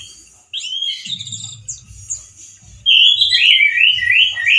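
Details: Male orange-headed thrush in full 'teler' singing style, voice loud and harsh: quiet high twittering at first, then from about three seconds a loud run of rising whistled phrases. A low rumble sits in the background.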